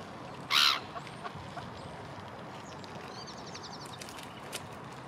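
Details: A black-headed gull in a town gives a single loud, harsh, grating call near the start, followed by faint chirps of small birds over a steady town hum.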